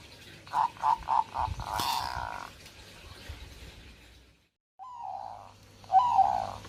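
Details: Zebra dove, in breeding condition, gives a fast series of four soft, rounded cooing notes, then after a short break a drawn-out coo and a final burbling phrase, over low background noise.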